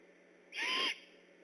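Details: Great horned owl on alert at night near an eagle nest, one loud harsh rasping call lasting under half a second, over faint steady hiss.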